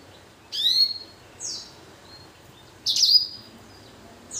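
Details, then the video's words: Caged hybrid finch, a blackthroat crossed with a canary, singing actively in an aviary; two bright, sweeping whistled phrases about two seconds apart, each a quick rising-and-falling slur with softer notes after, over quiet background hiss. "Blacken Gacor Warna Unik Sekali | Blackthrout x Kenari"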